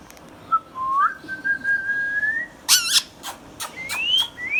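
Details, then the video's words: Indian ringneck parakeet, a green hand-tame pet: a short note, then a long flat whistle, a buzzy harmonic burst, a few clicks and two rising whistles. "Ringneck parrot compilation | Parrot natural sounds | Green Ringneck Parrot sounds"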